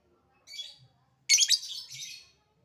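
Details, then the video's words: Lovebird in its ngetik-ngekek calling, a soft scratchy note then a loud grating chatter lasting about a second, high and broadband. "Burung Lovebird Memanggil Di sertai Ngekek, Di Awali ngetik lanjut ngekek"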